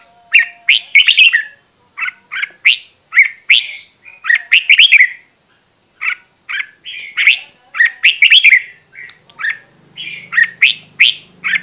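A red-whiskered bulbul sings quick bursts of bright, bubbly, warbled notes, several short phrases every few seconds with brief pauses, over a quiet background.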